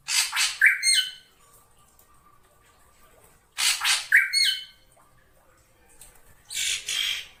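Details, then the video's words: Black drongo lure call: harsh, broadband squawking bursts about a second long, each ending in a short metallic ringing note, with two or three bursts separated by pauses of a few seconds. "suara pikat burung srigunting hitam dijamin Ampuh langsung nyaut"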